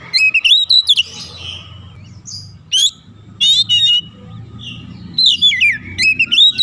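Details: Oriental magpie-robin provoked into agitated song, rich rising and falling whistles, scattered sharp chips, then a closing run of looping whistled phrases over low background noise.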